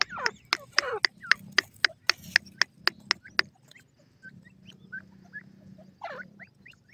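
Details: Partridge calling in a quick run of a dozen sharp, clicking notes, then a pause with a few faint high chirps, and a final harsh downslurred note.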